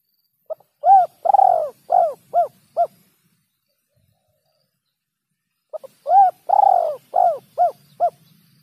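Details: Spotted dove calling on a bird-catching lure recording: two complete phrases about five seconds apart, each a brief lead-in, a long wavering coo, then three short descending hoots at an even pace, otherwise quiet.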